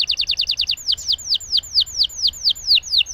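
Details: Canary rolling its song to prompt silent canaries to sing: a rapid burst of repeated short notes followed by evenly spaced, clear downward-slurred whistles, with faint low background hum.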